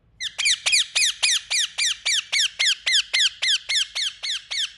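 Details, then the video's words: An Indian ringneck (rose-ringed) parakeet gives a fast, steady string of shrill, harsh screeches, about three or four each second, each falling sharply in pitch. "Indian Parrot Making Sound | Natural Parrot Voice"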